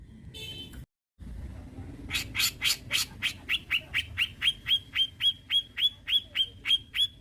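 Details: Brown-cheeked bulbul used as a trigger and tutor recording for songbird keepers in Indonesia: after a brief muffled start, a rapid run of loud, harsh, evenly spaced notes, about four per second, each ending in a clipped whistle.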